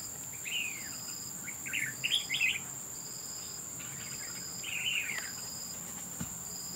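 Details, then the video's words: Red-whiskered bulbul fighting at a trap: bubbling, warbled call phrases in bursts, the loudest around the middle, then a longer descending phrase, against a steady high-pitched insect drone. "Bẫy đấu chào mào"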